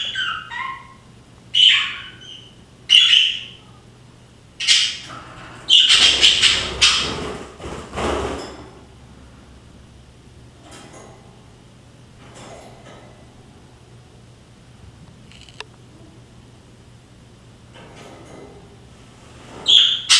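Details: Newly acquired English budgerigars, not hand-fed but flying freely around a room, give sharp, high chirps and squawks in short bursts, with a longer scratchy chatter.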